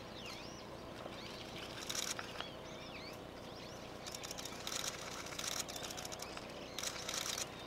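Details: A female Long-tailed rosefinch on a riverbank in Matsudo, Japan, gives soft, thin whistled notes that rise and fall, mostly in the first three seconds, broken by loud broadband rustling or clicking bursts.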